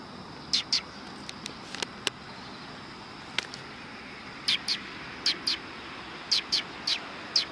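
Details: Several Eurasian tree sparrows arriving to be fed at a Tenmangu shrine on 9 September 2020: short, high chirps in loose pairs and clusters, scattered over faint background hum.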